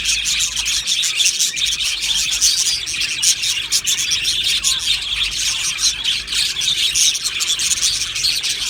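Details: Budgerigars in an aviary colony, dense overlapping chirping and warbling from many birds, continuous high-pitched twittering with sharp chirps throughout, no pauses.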